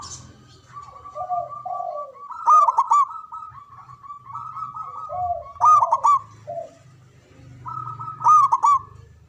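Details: Local Javanese zebra dove with a big, loud voice and long breath, its song meant to prompt silent or stressed doves to sing: rolling cooing phrases with bursts of quick trilled notes about every three seconds and a low hum beneath.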